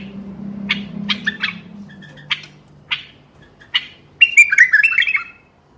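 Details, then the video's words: Bulbul singing to encourage other bulbuls to sing: spaced sharp, scratchy notes over a low background hum, then a fast warbled phrase of bright whistled notes near the end. "تغريد تحفيزي للبلابل القافلة ترديد صوت البلبل."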